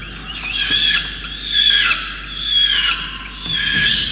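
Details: Wet-weather feeding of a peregrine falcon chick in Orange, NSW, Australia, 5 November 2021, with soaked parents bringing a starling. Loud, continuous wailing screams swell and fade in waves roughly once per second, strained and harmonic-rich.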